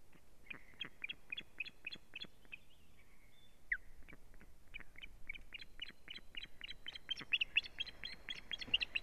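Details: Osprey at its nest calling in alarm as strange ospreys attack the female, 1 May 2017: a long run of sharp, high chirps repeated several times a second, growing louder and denser toward the end.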